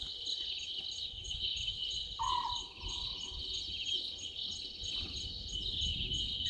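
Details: Small owlet in a tree beside a waterhole in Djuma Game Reserve, South Africa, at 00:38 on 11/12/2023, utters a single abrupt, low burry note lasting about half a second, set against loud high-pitched insect chirring.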